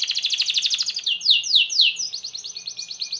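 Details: Canary singing continuously in 'gacor' style, played to get other canaries going. A rapid pulsing trill moves into loud swooping slurs, then an even, quick rolling trill at steady pitch.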